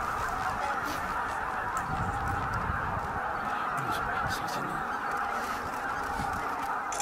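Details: Evening roost flight of some 15,000 greater white-fronted geese at Miyajima-numa marsh, Bibai, Hokkaido, 11 April 2016. A thick, even chorus of high-pitched yelping honks carries through the whole recording, with faint low rumble beneath.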